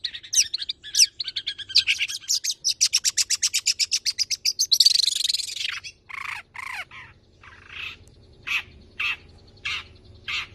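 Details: Tame long-tailed shrike singing 'nembak' song full of mimicked fill-ins, meant to prompt and tutor other birds: a fast, rhythmic rattling series, a harsh rushing burst, then spaced harsh single notes.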